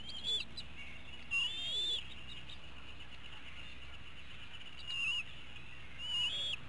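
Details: Eaglets calling from a nest in Hanover, Pennsylvania during an evening feeding on 5 April 2017; four brief, high squealing whistles spaced irregularly with long pauses, against constant outdoor hiss.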